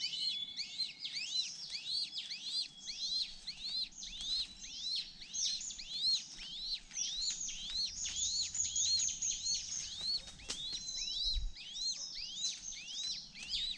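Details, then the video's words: Honey buzzard chick, the younger one, left hungry after getting no bee pupae; a steady stream of thin, high, down-arched peeps, several per second, with overlapping calls and a light hiss behind. "Honey Buzzard's youngest child didn't eat the bee pupae and was so hungry"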